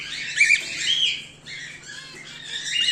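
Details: Brief harsh screeches from home-bred cockatiels, whiteface emerald and exhibition grey male, a couple carrying a short whistled edge, with a quieter gap midway and a faint steady hum.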